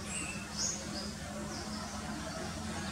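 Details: Orange-headed thrush, a monsoon visitor to dense green forest at Vrundawan, India, spotted in June 2021 and very vocal, gives a few thin, very high squeaky notes, brief and scattered over a steady background hiss.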